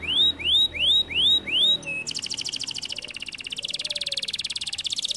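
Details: Singing canary (kenari): five loud upswept whistled notes, then a sudden switch into a long, fast, buzzy trill that runs to the end without a break.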